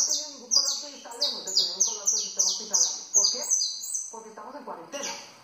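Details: Saffron finch, known locally as canario costeño, singing a fast series of high, bright chirps that slur downward, about three per second, with a short pause before a new phrase and people talking quietly underneath.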